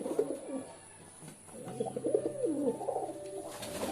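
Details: After a quiet first second and a half, a pigeon gives a soft, wavering low coo that rolls on to the end, with light room hum beneath.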